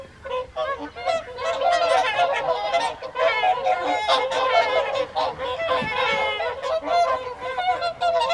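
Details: At the Folly Pond evening feed in Caerlaverock, January 2023, a large gathering of whooper swans keeps up a loud, unbroken din of resonant honking calls, rising and falling in intensity.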